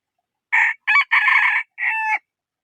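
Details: Rooster gives a four-syllable crow: a short raspy note, a quick second syllable, a long loud harsh stretch, then a steady drawn-out last note falling at the end. No other sounds.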